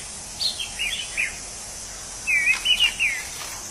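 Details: Orange-headed thrush in the wild sings a soft run of whistles, then a louder phrase of slurred looping notes, with insects hissing in the background.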